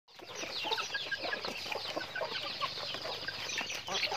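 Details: Chickens going about their daily activity: a dense, continuous wash of high, short peeping and chirping notes from many birds at once, with scattered lower clucks underneath and no pauses.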